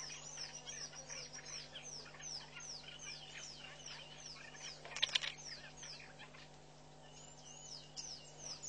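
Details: Southern masked weavers building and lining their nest at Pete's Pond, Mashatu Game Reserve, Botswana, on February 12, 2012. Rapid series of high, downward-sweeping chirps repeats throughout. A brief scratchy burst comes midway over a low steady hum.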